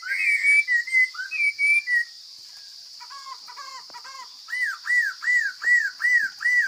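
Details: Chinese hwamei from the forest in full voice. Varied slurred whistles give way to a short pause. Then come six arched, ringing notes repeated about twice a second, with a constant thin hum behind them.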